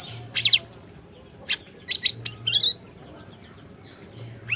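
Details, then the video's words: Orange-bellied leafbird singing, meant to get a silent bird to sing: scattered high sharp chips and short whistled slurs in brief clusters, separated by quiet gaps. "Masteran Burung Siri Siri Gacor, Cocok Buat Pancingan Burung Siri Siri Macet BUNYI"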